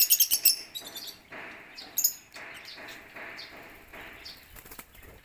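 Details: Aviary lovebirds queuing for a corn lunch; a rapid opening run of bright, shrill chirps, then softer short upslurred notes over repeated rhythmic scratching.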